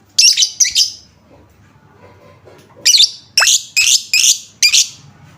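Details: Lovebird lure sound used to make other lovebirds respond: rapid runs of shrill, scratchy, high-pitched chirps, two quick notes followed after a pause by five in fast succession.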